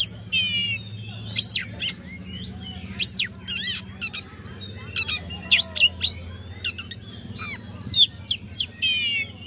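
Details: Oriental magpie-robin singing to rouse rival birds: loud whistled sweeps, sharp chirps and a buzzy trill, repeated in bursts over a continuous low hum.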